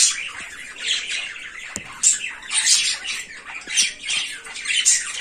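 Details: Cockatiel (Nymphicus hollandicus), a naughty pet bird in Bangladesh, gives harsh, screechy squawks in uneven bursts, roughly every second or two.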